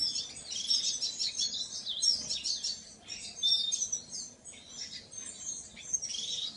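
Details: Painted bunting song: rapid, high warbled phrases of tumbling sweet notes, several bright bursts separated by short pauses, delivered clearly over a quiet background.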